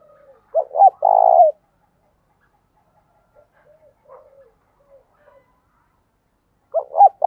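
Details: Spotted dove decoy, cooing to provoke wild doves: one full phrase of two short hoots and a long even coo, faint murmuring notes, then the start of the next phrase.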